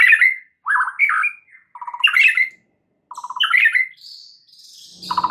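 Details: White-rumped shama song used as a lure to prompt a shama into its full repertoire: loud slurred whistles alternating with short stuttering rattles, ending in a high buzzy phrase.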